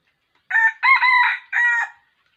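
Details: Wild red junglefowl crowing at a trap with a decoy rooster, 6 January 2021, like a young cock: a single clear three-part crow, a short opening note, a long central one, and a drawn-out ending, in quiet surroundings.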